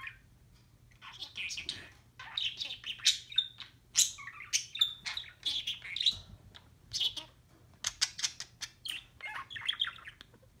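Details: Pet blue budgie talking, a rapid chattering run of buzzy, scratchy syllables mixed with high chirps and short whistles, continuing almost without pause for about nine seconds with faint room hum beneath.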